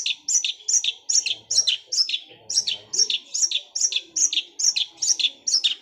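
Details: Long-tailed shrike in gereja Kunti style song, rolling like a sewing machine: a regular, unbroken series of bright, downslurred double notes, roughly two to three each second, throughout.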